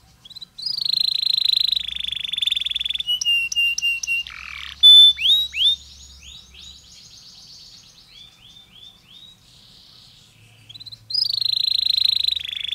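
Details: Canary performing a long song with pauses to stimulate other canaries: sustained buzzy trills, clipped whistles and a harsh burst, a quieter stretch of soft notes, then another loud buzzy trill.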